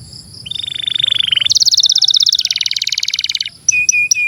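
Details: Canary song used to stimulate young canaries: a steady buzzy trill on one pitch, then a higher rapid rattle, finishing with a few short clear whistles, over a low hum.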